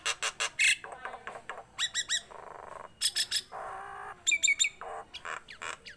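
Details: Nias hill myna, tame and in captivity, pouring out a chatty medley. Sharp clicking bursts, buzzy sustained tones and quick high whistled notes alternate irregularly.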